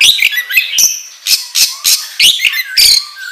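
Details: Oriental magpie-robin giving ngobra-style song as a training lure: a rapid series of harsh, scratchy, broad bursts mixed with short whistled notes, about three per second.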